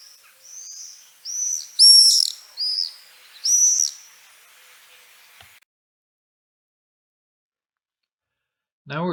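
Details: Common swift (Apus apus), scream.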